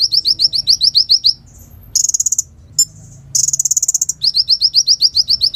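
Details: Sunbird song recorded to school other songbirds: a quick series of sharp down-slurred notes, brief buzzy trills with short pauses, then the down-slurred series returns.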